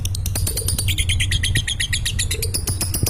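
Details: Falling-asleep lovebird in ngekek chatter: tight, quick bursts of high, scratchy notes run continuously over a loud, steady low hum.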